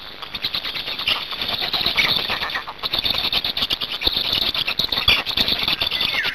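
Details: Black storks at a nest in Hungary on 8 May 2019, during a change-over of the adults and a feeding: dense, rapid squealing and scratchy chatter, continuous and harsh, with clicky rattling bursts throughout.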